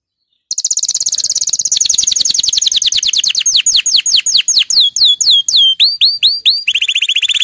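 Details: Male canary, excited and being readied for breeding, delivers an unbroken rapid trill that slowly lowers in pitch and slows, turning into separate upward-swept notes, then a short buzzy trill.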